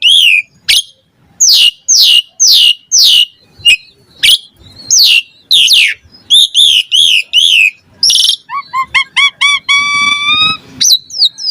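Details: Asian pied starling song used as a lure to stimulate lazy starlings to sing: loud varied phrases of descending whistles and harsh notes, then rapid harmonic chattering series near the end.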